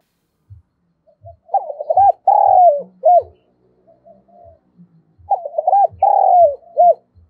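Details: Decoy spotted dove meant to stir wild doves into calling, voice of the thổ sấm type. Two cooing phrases about four seconds apart, each hooked notes, a long rolled coo and a short ending note, over soft regular low knocks.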